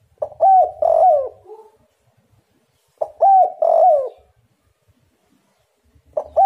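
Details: Spotted dove played as a lure to make other doves answer; two low, mellow cooing phrases, each a short note followed by two longer drawn-out coos, spaced about three seconds apart.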